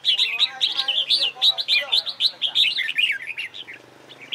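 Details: Red-whiskered bulbul practising competition song: a fast, continuous run of sweet, slurred whistled notes, about two per second, trailing off into quieter chirps at the end.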